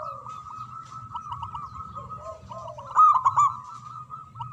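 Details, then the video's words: Local zebra dove in loud song, a continuous trill of quick coo notes at a steady pitch, with softer lower coos and a sharp louder burst near three seconds. "Perkutut Lokal Gacor Suara Besar Manggung"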